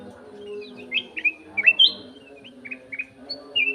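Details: Golden-fronted leafbird in an aviary singing clearly: a lively run of sharp chirps and slurred whistles, with rapid changes in pitch and short gaps, over a steady low background hum.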